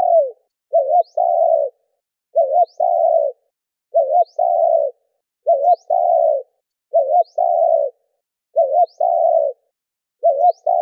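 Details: Spotted dove cooing in the đảo nước, thúc and gù styles, used to rouse caged doves: low mellow phrases of a short wavering double note followed by a long steady coo, repeated about every 1.6 seconds, with a faint high upward chirp after each.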